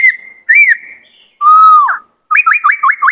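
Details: White-cheeked laughingthrush, a kept bird in Vietnam singing many-voiced song, used to train young birds and excite males: a level whistle, a rising-falling whistle, a loud mellow whistle ending in a downslur, then five quick upslurred whistles.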